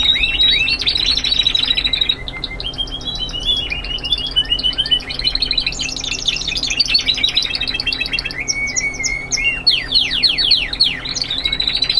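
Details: Young Spanish Timbrado canaries singing classic continuous song: an unbroken stream of rolling trills and metallic notes, with shifting tours, some rising and falling, others sharp repeated pips, over a constant low hum.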